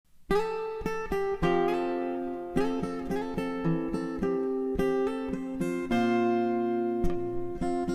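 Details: Plucked acoustic guitar chords and single notes play throughout, and no animal voice is heard.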